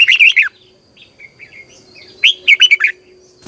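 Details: Red-whiskered bulbul singing in morning training, a caged bird in Vietnam: a loud burst of warbled, slurred notes near the start, a quieter soft twittering passage, then another rich phrase of four or five rolling notes.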